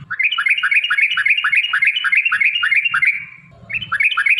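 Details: Sooty-headed bulbul lure song to make other bulbuls answer: rapid rolling series of whistled rising notes, about four per second, pausing briefly before resuming, with faint low noise beneath.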